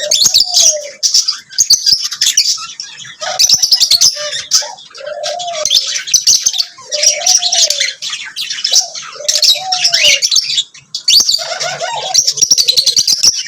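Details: Chattering lovebirds keep up continuous high, squeaky chirps in rapid runs, with repeated low arched cooing notes from another bird underneath throughout.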